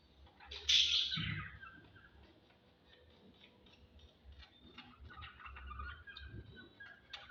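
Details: Lovebirds during mating time: one loud harsh squawk near the start, then softer scattered chirps and twittering notes, with low rumbling background noise.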